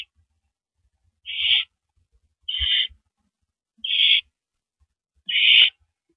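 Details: Barn owl at the nest on the night of April 9, 2012, at 8:45 PM, as the male brings a rodent as prey. Four short, rasping hiss-screeches are spaced about 1.3 seconds apart, with faint low thumps in between.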